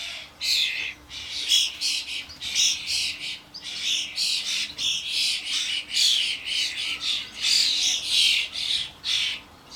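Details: Garden commotion of common starlings, adults with their fledglings at the feeder: a long, nearly unbroken chatter of rasping, screechy notes, several overlapping callers.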